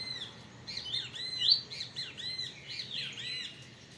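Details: Double-collared seedeater held in captivity in Brazil for breeding sings a series of looping, downward-curving whistled notes, repeated about twice a second, with a steady low hum in the background.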